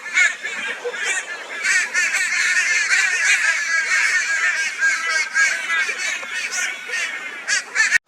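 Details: On 22 February 2022 in Brisbane, Australia, a flock of crows torments a barn owl with loud raucous calls: rapid, ragged, overlapping grating caws pour out continuously for several seconds, ending abruptly.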